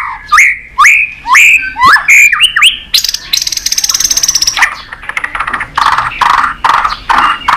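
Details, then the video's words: White-rumped shama singing in competition: a series of repeated upslurred whistles, then a long buzzy rattling trill, followed by several harsher chattering notes. "Chòe lửa kéo dây suối dài"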